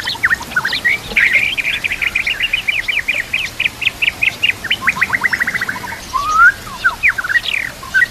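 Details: White-rumped shama song used as a tutor recording to train silent shamas to sing, mixed with nature sounds and trickling water: long fast runs of short sharp chirps, several per second, ending in a slurred rising whistle over steady hiss.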